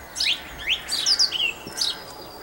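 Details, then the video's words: Song thrush in song, Campbeltown, April 2012, giving a loud burst of varied, fast-sliding whistled phrases, several notes sweeping down and up in quick succession. "Song Thrush Singing"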